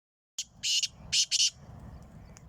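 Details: Black francolin (kala teeter) calling in Sindh, Pakistan, on 23 March 2022. A short series of harsh, grating high notes in clipped bursts is followed by a faint low background rumble.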